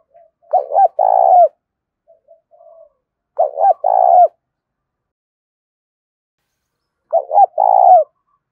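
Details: Spotted dove calling as a lure to draw other doves to respond, three clean cooing phrases of a short note followed by a longer throaty coo, repeated about every three seconds against silence.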